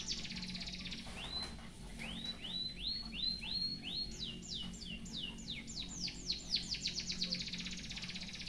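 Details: Canary-filled song of a white-headed munia, kept for tutoring other birds: a row of rising slurred whistles about every half second gives way to sharp descending sweeps that quicken into a rapid chattering finish; low background hum.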